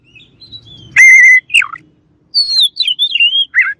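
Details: Oriental magpie-robin song aimed at riling up rival birds: a steady, clear, high whistle, then a falling slurred note, then a run of quick, bright, looping whistled phrases.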